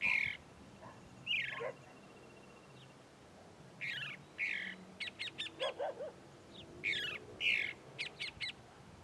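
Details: Chalk-browed mockingbird (sabiá do campo, papa sebo) singing in the sertão of Bahia, Brazil: varied song of rasping phrases mixed with rapid, sharp, high clicking notes in quick bursts, some lower warbled notes between.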